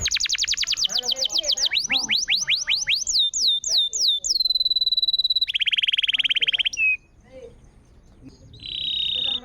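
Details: Canary singing, played to restart a canary that has gone quiet: a long series of repeated high downslurred whistles, a sustained pure tone, a rapid rattling trill, then a brief pause before another trill.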